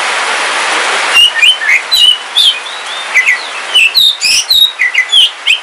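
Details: Caged oriental magpie-robin of the Kalimantan black form, kept at home, singing on a rainy day: after a second of steady rain hiss, loud clear whistled notes and slurred rising and falling phrases follow in quick succession.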